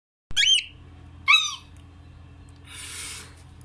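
A cockatiel gives two harsh, bending chirps about a second apart, then a short breathy hiss.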